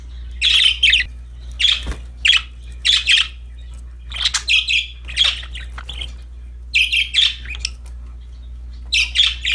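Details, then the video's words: Several happy budgies playing with a new toy: short scratchy chirps in clusters of two or three, about 27 per minute, with uneven pauses and a faint low hum behind. "Happy budgies chirping for lonely birds, singing, playing with a new toy"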